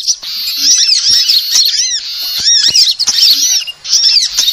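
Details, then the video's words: Sunbird calls meant to attract birds: shrill, arched chirps and rolling twitters in a steady dense chorus, easing briefly near the end. "suara pikat semua jenis burung kolibri"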